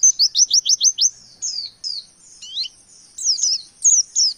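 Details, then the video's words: Oriental white-eye in 'nembak' song with variation material (wekwek, kowul, ciblek): six fast, high, descending notes burst out first, followed by scattered thin twittering slurs and chips. "Pleci Nembak Materi Variasi"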